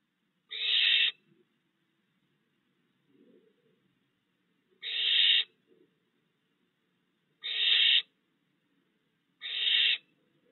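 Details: Barn owl at a nest-box yard in June, with three fledged owlets while the father still brings food; harsh hissing screeches of about half a second, four bursts spaced two to three seconds apart, with a faint low rasp between.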